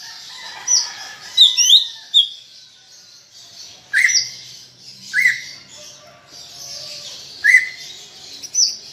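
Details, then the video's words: Greater green leafbird singing in the busy 'gacor' style played to prompt kept leafbirds to sing: a cluster of high twittering notes, then spaced, clipped upward-flicking whistles over a constant hissing background. "Ocehan Cucak Ijo Gacor untuk Pancingan Bunyi"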